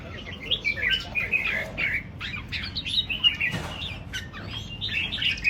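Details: Song of the red-whiskered bulbul: short, liquid whistled phrases and bubbly notes delivered in quick succession, with brief pauses and a soft background murmur.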